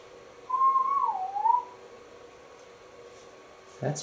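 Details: A male pet African grey parrot, chatting indoors at home in Texas with a Santa figure, gives one clear, wavering whistle about a second long. It slides up, dips, then rises again; a brief thump or voice follows.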